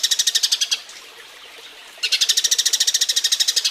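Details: Eurasian tree sparrow mating call, used as a model song for training other birds: a rapid series of bright, harsh chirps, about three per second, stopping for just over a second of quiet before a longer run resumes.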